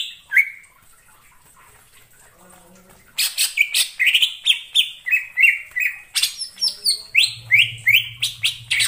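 Greater Green Leafbird song: a quick, varied run of clear whistles, slurred chirps and sharp downward notes, about three a second, after a quiet start. A faint low hum underlies the end.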